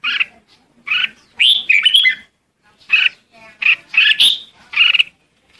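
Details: Red-whiskered bulbul calling to the flock with rich chirped phrases, some rising, in bursts roughly every second, close and clear.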